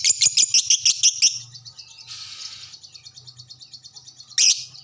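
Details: Lovebird answering another lovebird: a fast run of about eight loud, shrill chirps, then a hissy rasp and a long stream of quick, soft, evenly ticking notes, ending in one sharp squeal.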